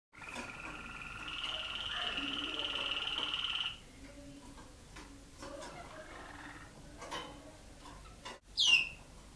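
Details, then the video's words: Waterslager Malinois canary bred in an aviary, recorded in 2010: steady rolling tones held for almost four seconds, then quieter scattered notes and one sharp swooping whistle near the end. "Canarios Waterslager Malinois"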